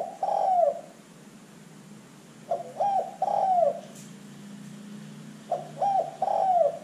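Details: Spotted dove calling as a lure to prompt other birds: three low, hollow cooing phrases about every three seconds, each with short clipped notes leading into a drawn-out falling coo, faint background hum.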